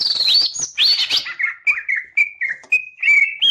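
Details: Tail-fanning green leafbird delivering high, scratchy chatter that drops into a series of short, clear whistles, each slightly lower or steady in pitch, repeated about every half second.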